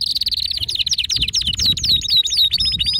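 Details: Male canary in an excited song meant to set other canaries singing; a rapid high rolling trill with short downward-sweeping notes repeated several times a second throughout.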